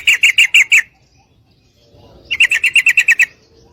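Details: A female sooty-headed bulbul calls for a male to mate; two series of rapid buzzy chattering notes, five then eight, split by a brief quiet gap.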